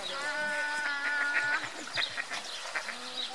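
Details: Many ducks in a big commotion at Augsburg Zoo: a drawn-out, nasal call lasting over a second, followed by shorter scattered calls amid clattering background noise.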